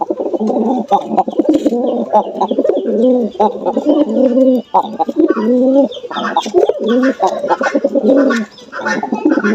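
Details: Jalali pigeons from Bangladesh, including a pair, cooing steadily in dense, rolling, low phrases that run almost without break, with brief gaps near the middle and end, and people laughing afterward.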